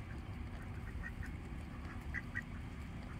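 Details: Little ducks calling while being fed, a few clear short quacks with a brief double call near the end, set against constant low-pitched rumbling background noise.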